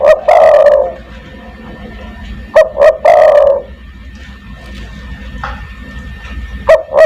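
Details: Spotted dove lure call in 'kuk 1' style for calling other doves: repeated phrases of two brief hard notes running into a long wavering coo, plus a softer partial phrase near the end, over a steady low hum.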